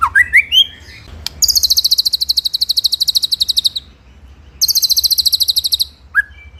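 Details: White-rumped shama master song in 'ngeroll nembak' style for training birds: a few rising whistled slurs, then two long, fast, very high pulsed trills, ending with a short upward whistle.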